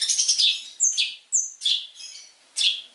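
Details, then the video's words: Long-tailed shrike song used as a training recording for other birds, full of rich varied phrases: harsh, scratchy high squawks and sharp downslurred notes in short bursts separated by brief pauses, with no other sounds. "PANCINGAN MASTERAN BURUNG CENDET | FULL ISIAN MEWAH"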